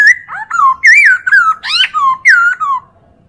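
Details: Chinese hwamei tutor song for training other birds, a rapid unbroken run of varied rich whistled notes, some rising, some falling, a few sharply upswept, then falling quiet near the end.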